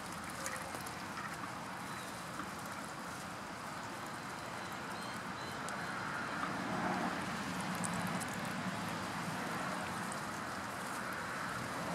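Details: Steady broadband rumble like wind or a distant engine, with no clear animal calls.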